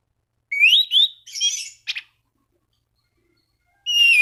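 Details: Orange-banded thrush calling rivals to set other thrushes singing; a rising whistle, a buzzy trill and a short harsh note, then a fresh descending whistle after a pause.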